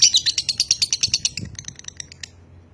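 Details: Lovebird of konslet style from Nganjuk, Indonesia, ending a rapid series of high shrill chirps that fade out after about two seconds.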